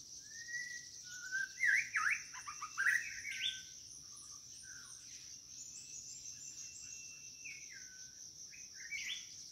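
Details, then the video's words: White-rumped shama calling for a mate: a burst of bright whistles and rapid trills in the first few seconds, then faint distant notes, beneath a continuous shrill insect chorus. "นกกางเขนดง กู่หาคู่"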